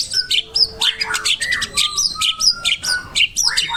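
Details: White-rumped shama training song: a repeated pattern of sharp high notes and lower slurred whistles, about one and a half phrases per second, somewhat irregular.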